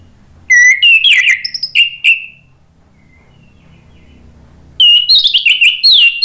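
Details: Orange-headed thrush lure song meant to prompt other thrushes to answer: a loud run of clear whistles and fast trilled notes, a quiet gap of about two seconds, then another rich whistled phrase.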